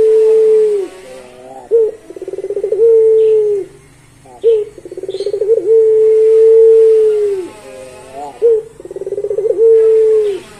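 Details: Barbary dove (puter pelung) giving its prized long song: a rolling, pulsed run of low notes flowing into a long, steady, mellow hoot that droops at the end, repeated three times with short pauses.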